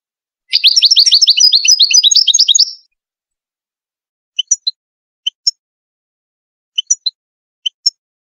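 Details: Widani song of a Moroccan European goldfinch meant to teach chicks: a lively two-second twittering phrase of rapid high notes, followed by scattered soft, single chip calls at irregular intervals.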